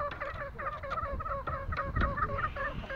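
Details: Green junglefowl, Lombok: steady chattering of short, nasal, wavering notes, roughly five per second, with low rumbling background noise throughout.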